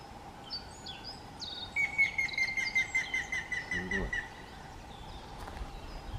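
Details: Recorded May 2024, a Grey-headed woodpecker gives about ten loud whistled notes in an even, slightly descending series, preceded by high chirps from other birds and followed by a brief knock.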